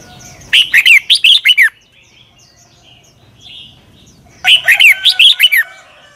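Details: Doubled southern master song of a red-whiskered bulbul in Thailand, played so young birds copy it. Two clear bursts of five or six rich, warbled whistles are separated by roughly three seconds of faint chirping.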